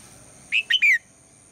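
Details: Red-whiskered bulbul female giving a morning call meant to draw song from the male; one short three-part whistled phrase, a steady note, a quick upslurred note, then a longer falling whistle.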